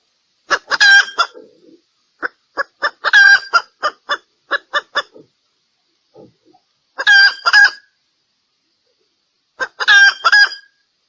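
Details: Female red junglefowl calling to attract males, giving harsh, clucking bursts: a quick run of short notes, then brief raspy cackles every few seconds against a quiet background.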